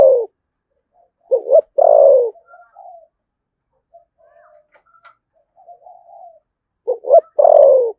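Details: Spotted dove, Đồng Nai, Vietnam, cooing in 'thúc gù' fashion with a 'giọng thổ sấm' voice. A loud phrase of clipped double hoot and long sinking coo, a stretch of faint low murmurs, then the loud phrase again.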